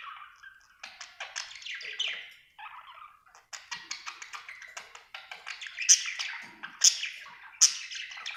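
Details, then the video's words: Budgerigar in a happy mood chattering with rasping clicks and warbles, then three loud sharp high squeaks spaced about a second apart. "Happy budgie chirping sound"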